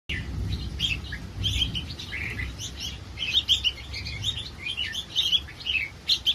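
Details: Caged hybrid-line red-whiskered bulbuls awaiting delivery to buyers in Nakhon Si Thammarat, Thailand; bred for singing competition. Busy overlapping chirpy phrases, short bright whistled notes tumbling up and down, with a low rumbling background.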